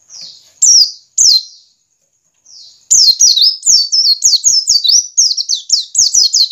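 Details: White-eye ngiriwik lure song for caged birds: two loud isolated falling chirps, a quiet gap, then a rapid unbroken series of shrill descending notes.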